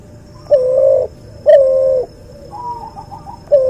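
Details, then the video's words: A crossbred cuhu dove, white albino puter crossed with puter pelung, repeats flat sustained coos roughly a second apart, with a softer, higher fluttering note between them and another coo starting at the end. "MASTERAN BURUNG CUHU HASIL SILANGAN PUTER ALBINO PUTIH VS PUTER PELUNG"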